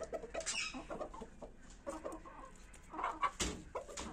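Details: Pure desi Kashmiri chickens, a pair in red jungle fowl colouring, giving scattered short clucks and harsher squawking notes at uneven intervals, with some background clatter.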